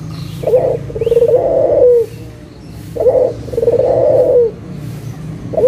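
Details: Barbary dove of a local type, calling as a lure for doves that have gone quiet: short-then-long rolling coo phrases, each long coo dipping at the end, repeated about every two and a half seconds.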